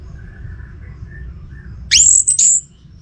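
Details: Orange-headed thrush kept at home, heard in one short, loud burst of sharp, high whistled notes that sweep upward with a buzzy edge, following a quiet stretch of faint, soft lower tones.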